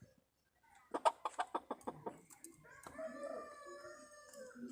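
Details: Red junglefowl hen calling to attract a male, 26 March 2020: a run of about eight sharp clucks, then softer, lower, drawn-out notes over background noise.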